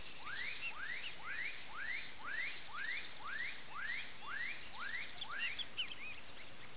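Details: Female snail kite calling a series of about ten upslurred notes, one roughly every half second, with a constant high-pitched insect drone in the background.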